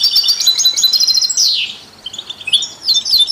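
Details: Goldfinch song used to stimulate other songbirds: quick twittering notes lead into a buzzy descending slur, then a softer pause before bright chirps resume.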